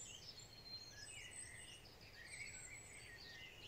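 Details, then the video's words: Several wild birds singing on a spring morning: overlapping thin whistles and twittering phrases, some rising and falling, with a high hiss above, under a steady low rumble of background noise. "Birds song in a spring morning"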